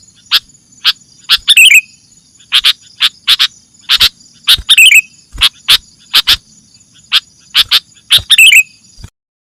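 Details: Sooty-headed bulbul lure recording: a dense series of sharp chips with three short warbled phrases scattered through, ending abruptly in silence. A steady thin high hum runs throughout.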